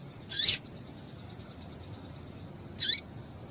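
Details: Female double-collared seedeater call used to excite males: two separate high, bright notes about two and a half seconds apart, each bending downward at the end, over quiet hiss.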